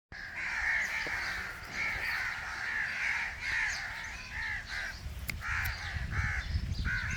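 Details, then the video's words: A rose-ringed (Indian ringneck) parakeet gives harsh, raspy squawks in rapid, nearly continuous irregular bursts while eating, over low rumbling background noise. "INDIAN RINGNECK PARROT EATING | RAW PARROT NATURAL SOUNDS"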